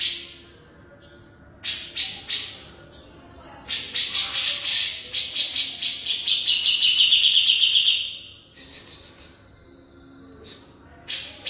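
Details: Long-tailed shrike song used as a training recording for captive birds: a busy, harsh run of high chattering and scratchy notes that builds into a sustained buzzy stretch, then fades, with faint low background noise.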